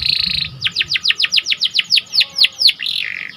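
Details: Canary of the panda colour variety, a lively gacor singer, delivering a fast series of downward-sweeping whistled notes about four per second, opening with a sustained buzzy tone and ending in a rolling trill.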